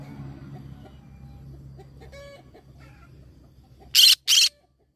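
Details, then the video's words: Green-cheeked conure parrot letting out a sharp doubled screech near the end, after a stretch of quiet low hum and a few faint harmonic clucks. "green cheek conure parrot sound"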